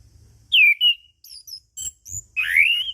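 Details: Relaxed ngeplong singing from an orange-headed thrush, called punglor or anis kembang locally: a loud descending whistle and a short level note, faint higher chips, then a long, bright, rising whistled phrase.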